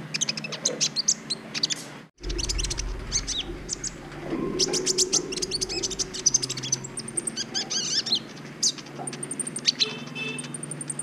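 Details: Brown-throated sunbird, green-type bird, recorded as a training song to stir mating urge in other birds: rapid high chirps and sharp twittering trills, briefly broken by a gap near two seconds, over a steady low hum.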